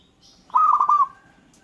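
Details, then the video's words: Local zebra dove singing one short cooing phrase, a low rolling warble of quick pulsed notes lasting about half a second, with other birds answering faintly in the background. "Gara-gara Perkutut lokal ini, burung lain Langsung Nyaut dan Ngayer"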